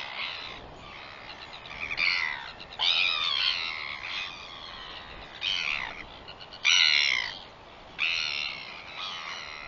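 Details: Northern royal albatross recorded on 21 September 2021: loud, rasping, harmonic calls in separate bursts of about a second, several seconds apart, with quieter muttering between.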